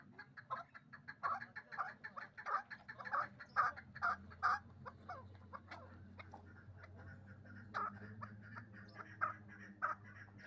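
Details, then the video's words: Repeated hoarse chucking from a hybrid partridge kept in Dushanbe for fighting and hunting, two years old; a dense burst for five seconds, then scattered single notes against a low hum. "Кабки гибрид"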